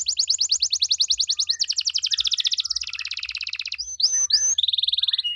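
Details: Canary singing an ornamented 'gacor' song meant to make other canaries answer: rapid rolling trills repeated several times a second, changing pace into a smoother rattle, then sharp chirps and a steady whistled trill.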